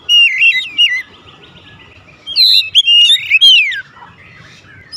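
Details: Oriental magpie-robin (kacer) singing 'nembak' at once: loud warbled whistles, a pause, then a dense tangle of squeaky and slurred notes ending in a long falling whistle.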